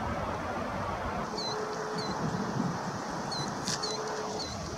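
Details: Killdeer calling: thin, high, slightly falling whistled notes, often in pairs, repeated several times over a few seconds, half buried under a loud, steady broadband rushing noise.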